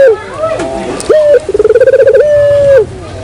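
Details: A single Barbary dove lure phrase: a short coo, a pulsed rolling trill, then a long even note that fades to quiet.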